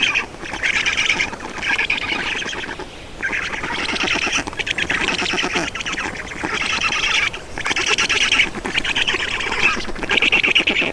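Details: Feeding scene at a black stork nest, Estonia, 31 May 2019: a long series of harsh, quacking, rasping bursts repeated at irregular intervals over eleven seconds.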